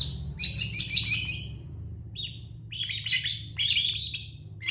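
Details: Master song of the long-tailed shrike, recorded for training other birds: scratchy chattering bursts and short flat whistles over a steady low-pitched hum.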